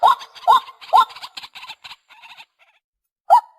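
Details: White-breasted waterhen recorded as a hunting lure: three loud, upward-hooked kook notes, then softer chattering notes, a brief silence and one final hooked note.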